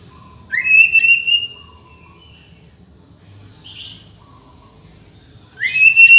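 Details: White-rumped shama song for training and luring: a loud clear wavering whistle, a long quiet gap with a faint buzzy note, then another strong rising whistle, low hum throughout.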